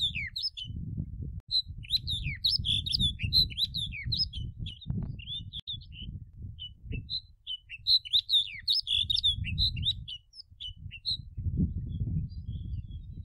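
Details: Snow bunting in full song: repeated fast phrases of sweet whistles, chirps and downslurred notes, broken by short pauses, against a continuous low wind-like rumble.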